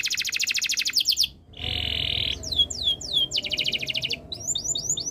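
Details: Canary alternating a rapid high pulsed trill, a smooth low buzzing roll, a run of loud falling whistles and a fast rattling tour, ending with quick twittering upslurs.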